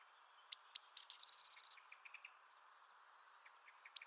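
Eurasian blue tit song: three very high, thin, falling notes, then a quick silvery trill of about ten notes, with one more high note at the end.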